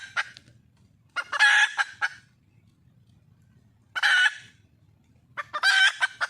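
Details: Wild red junglefowl hen calling for a male: three loud, harsh, nasal bursts spaced roughly two and a half seconds apart, with a faint low rumble between calls.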